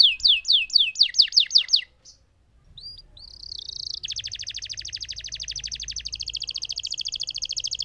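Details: Lemon canary in full song performing a long roll: seven loud descending swept notes, a short pause, then a fast, even buzzing trill held for about four seconds.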